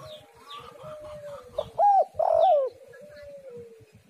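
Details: Spotted dove (tekukur) call used to lure other doves: one phrase of an arched coo then a longer wavering, falling coo, with a steady faint whistle-like tone and scattered small-bird chirps in the background.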